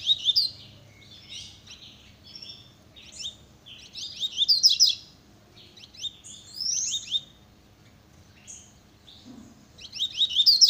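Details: Double-collared seedeater singing a very fast song described as velocista style: rapid bursts of high, sharp chirps and twittering trills, delivered in clusters separated by short pauses, with quiet low background hum.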